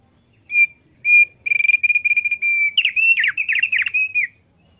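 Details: Singing male Thick-billed White-eye: two separate whistles, then a long sustained trill of even notes flowing into a jumbled, twisting warble that fades after about four seconds.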